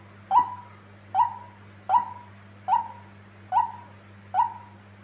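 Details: Six harsh, nasal notes from a tame female white-breasted waterhen, described as very vocal. They come at a regular pace of about one every 0.8 seconds, each with a sharp attack and a short falling tail, over a low hum.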